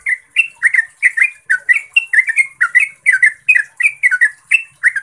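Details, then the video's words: Yellow-vented bulbul (trucukan) giving a long, clear rapid song used as a lure to get other bulbuls singing: bubbly, chattering notes, each bending up or down, packed several per second without pause, over a thin steady high hiss. "Suara Trucukan Ropel Panjang Jernih AMPUH untuk PANCINGAN Trucuk Biar Gacor"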